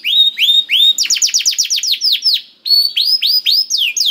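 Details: Canary in full song meant to coax another canary into singing: rising whistled slurs, a burst of quick descending chips, a brief pause, then looping upward-sweeping notes.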